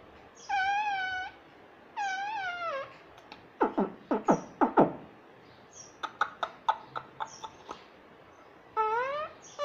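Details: Talking pet parrot, said to say mummy nonstop: two nasal, falling word-like phrases, then a run of rapid clicks and pops, more clicking, and a final rising spoken phrase.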